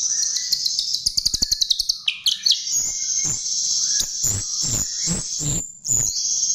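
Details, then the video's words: Chestnut-tailed starling song used as a lure: a fast run of high ticking chirps, squeaky twisting notes, then scattered sharp clicks beneath a continuous piercing high tone. "Pancingan Jalak RIO RIO"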